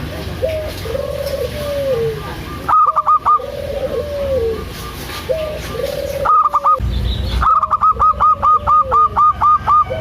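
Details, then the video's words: Local zebra dove calling actively, meant to stimulate reluctant doves: soft low drawn-out cooing phrases, then brief staccato coo bursts, ending in a long run of about twelve rapid evenly spaced purring notes. "PANCINGAN AMPUH 💯 % UNTUK PERKUTUT MALAS BUNYI‼️ PERKUTUT LOKAL GACOR DOOR"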